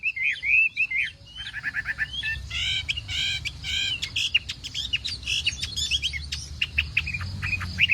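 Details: Chinese hwamei in a morning singing contest: several loud looping whistles, followed by rapid harsh chattering and clicking notes in dense bursts, ending with sharp whistles over a low background hum.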